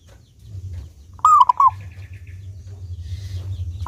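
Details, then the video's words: A clear-voiced local Indonesian zebra dove, used as a lure so other doves sing more, gives one brisk cooing phrase: a long note with two quick coos, then a soft low hum. "Perkutut Lokal Gacor Suara jernih ini Paling Ahli bikin Pancingan Burung Perkutut Agar rajin Bunyi"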